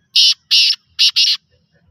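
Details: Black francolin calling: four strident, buzzy, grating notes delivered as two quick pairs in under a second and a half, with a quiet background and no other clear sounds.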